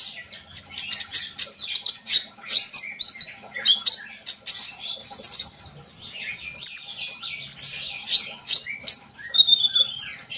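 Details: Continuous sunbird song: rapid, dense, high-pitched chips and squeaky trills pouring out without pause, with some sharp whistled notes standing out among them.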